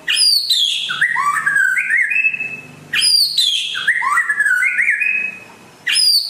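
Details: Rare white-rumped shama from West Aceh repeats a melodious phrase three times, each opening with a shrill high note, then a cascade of slurred, stepping whistles that climbs and settles.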